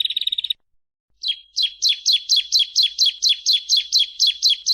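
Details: Bar-winged prinia, known locally as ciblek, singing for a bird-training recording: a short burst of fast buzzy notes, a second of silence, then sharp downslurred chips repeated about twice a second.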